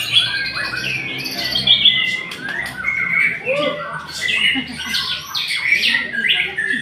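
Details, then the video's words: White-rumped shama song in varied bursts: high whistles, downward slurs and harsh chattering notes, with brief pauses between loud phrases. "Murai memang TOP MARGOTOP"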